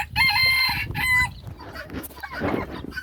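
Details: A rooster, in a call-and-response exchange with a turkey, gives a loud, strained crow in two drawn-out parts with harsh harmonics, followed by softer rough clucking and farmyard noise.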